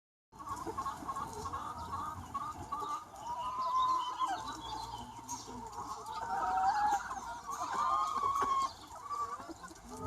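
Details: Free-range flock of about 200 chickens on a sunny spring day, a steady overlapping chorus of clucks and drawn-out mid-pitched calls, some rising squawks standing out around the middle and end.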